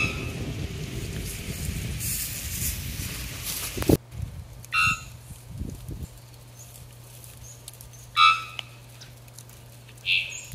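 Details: Three-wattled bellbird calling close by in Costa Rica in March, its voice ringing out: three loud, ringing metallic 'bonk' notes about three seconds apart, after rustling and wind noise, over a steady low hum.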